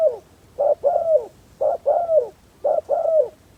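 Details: Decoy spotted dove luring wild doves with a steady, low-pitched cooing. A quick coo is followed by a longer falling coo, and the pair repeats roughly once a second, three times.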